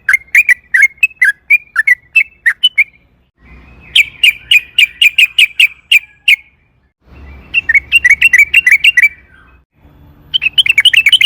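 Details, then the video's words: Sooty-headed bulbul singing vigorously in a long rolling style, used as a lure to get other bulbuls singing; bursts of rapid whistled notes swooping near the middle register, separated by short pauses, with a faint low hum between phrases. "trucukan gacor ROPEL PANJANG AMPUH pancingan TRUCUKAN AGAR BUNYI jadikan BURUNG TRUCUK GACOR EMOSI"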